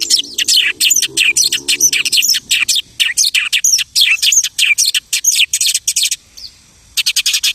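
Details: A lark's imitative song: a long stream of sharp, fast-repeated chirps and buzzy notes, then a short lull before the song resumes.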